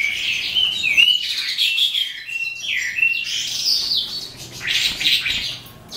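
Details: Calandra lark of the eastern form psammochroa beginning its song at the end of the day: clear slurred whistles, some falling, mixed with buzzy chatter and sharp chirps, in flowing phrases.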